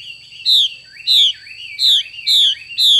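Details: Chinese hwamei hen producing the 'xùy' call style, five strong descending whistled slurs spaced roughly every 0.6 seconds, with faint twittering linking them. A constant thin high tone hums in the background.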